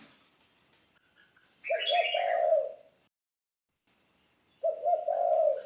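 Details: Spotted dove, a decoy bird in training. It gives two low, throaty coo phrases about three seconds apart. A brief higher chirping from another bird overlaps the first coo.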